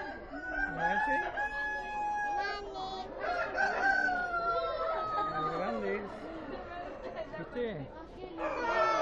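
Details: Several roosters crow over one another in long, strained, wavering cock-a-doodle-doos at a 2013 Prado Expo poultry show, with people talking underneath.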